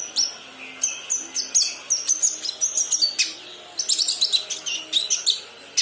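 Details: Young kinoi practising song: bursts of high, rapid chirps and down-sweeping notes, growing denser and more jumbled midway, over low steady background noise.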